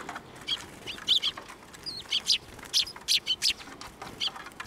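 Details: Sparrows flying in to be fed at a Tenmangu shrine in Japan, April 2024: short high chirps, irregular and repeated about twice a second over steady background noise.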